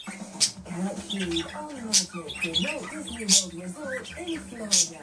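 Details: Indoor budgie during quarantine giving a grumble: rambling, bubbling warble of rising and falling notes with four sharp squawk bursts spaced a second or more apart.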